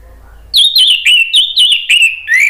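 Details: Orange-headed thrush singing loud and nonstop, gacor ngeplong style, to provoke a response from other birds; connected whistled phrases dip and rise steadily, with short breaks between them.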